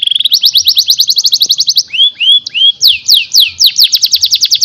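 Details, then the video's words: Training song of a canary for young birds: quick buzzy trill of repeated notes, three rising slurred whistles, then more spaced sweeping notes and a renewed fast trill, high-pitched and steady. "MASTERAN UNTUK KENARI MUDA!!"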